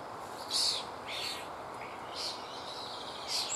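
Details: A lone common starling nestling, nearly ready to fledge, in an old woodpecker nest hole, gives harsh, raspy hissing begging bursts, four in about three and a half seconds, when the parent is slow to return; steady background hiss.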